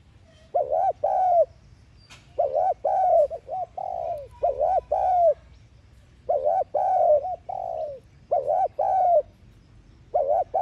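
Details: Spotted dove thúc gù lure coo, used to stimulate household doves to coo. Rhythmic phrases of three or four rounded, humped coos repeat roughly every two seconds, about five times, in quiet surroundings.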